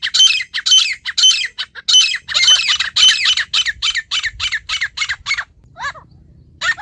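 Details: Natural call of a wild female partridge: loud, harsh, grating notes fired roughly twice a second in a steady series, easing into a few thinner notes before a final rasp, with faint low rumble behind.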